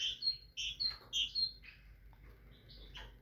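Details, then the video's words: Tit singing: bright high whistles in quick pairs and short slurred notes, a dense burst at the start, then softer, sparser notes toward the end. "تغريد طائر الحداد(القرقف)"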